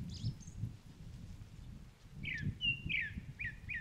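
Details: Grey-backed thrush at the Otter Marsh of Sobeol (Upo Wetland), among blooming Chinese milk vetch: after a faint high note, slurred descending whistles near the end, then short repeated notes, over steady low rumbling background noise.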